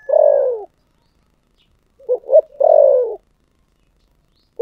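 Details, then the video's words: Low, mellow spotted dove song in the thổ sấm voice. A long falling coo is followed after a silence by a quick pair of short hoots and another drawn, descending coo. "cu gáy giọng thổ sấm"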